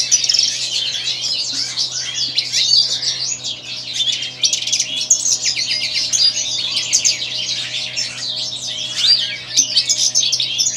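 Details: European goldfinch of the white-throated form, continuous dense twittering song of fast buzzy and liquid notes high in pitch, with a steady low hum underneath.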